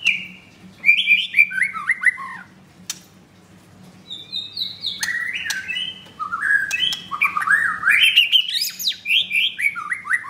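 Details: White-rumped shama with a blue leg ring, kept in a cage at a Kemayoran, Jakarta bird shop and filmed close up, delivers loud, varied whistled song. Descending slurred phrases and sharp clicks build into fast, rising, jumbled whistles over a steady low hum.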